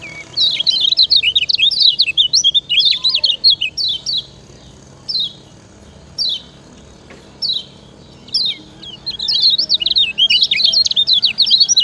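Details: Yellow kecial singing as a master recording for training other birds: bursts of quick, high, twittering chirps, each burst a second or two long, separated by brief single notes and short silences, the fast chatter returning strongly at the end.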